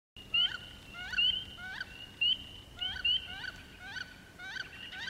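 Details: Wood ducks courting, recorded 14 April: thin rising whistles alternate with short, nasal, downward-curving calls, roughly one burst every second or two, over a quiet background with a faint low hum.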